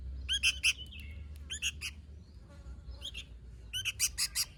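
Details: Sooty-headed bulbul song: short bursts of bright, bubbly, chirping notes in quick clusters with brief pauses between them, over a steady low rumbling hum of background noise.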